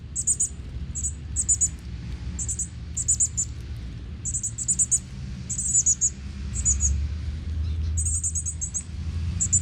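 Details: Northern cardinal chicks being fed by their father in natural woods in Texas; thin, very high chirps in tight clusters of two to four notes, repeated irregularly about once a second over a low steady rumble.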